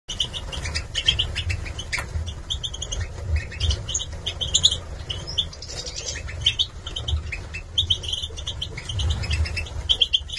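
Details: Young male Goldfinch Major birds, European goldfinch, caged, 2022, from a breeder in Gladbeck, Germany: short high twittering chirps in scattered bursts over wing flutters and a steady low rumble.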